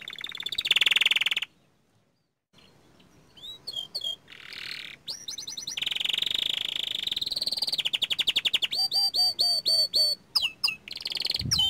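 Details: Young canary of small standard type singing actively: a buzzy roll, a silent gap, then scattered chirps building into long rapid trills and repeated rising whistled notes with some lower echoes.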